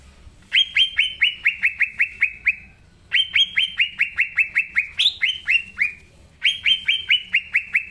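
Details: Green leafbird singing energetically in its natural voice, a recording meant to coax young leafbirds into song. Three bursts of rapid, evenly spaced, falling whistled notes, with one higher upswept note midway, separated by short silences.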